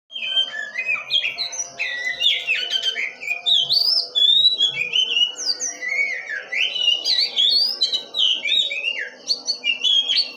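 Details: Oriental magpie-robin singing lively and continuously: varied, fast whistled phrases sliding up and down, sharp chirps and warbles in quick succession, over a steady low hum.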